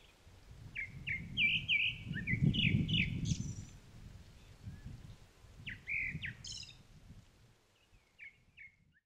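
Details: Whistled Grey-backed thrush phrases from Upo Wetland's Otter Marsh amid flowering Chinese milk vetch: a string of short slurred whistles, a shrill high flourish, a pause, then further whistles and a high squeaky ending, over a low background hum that fades away.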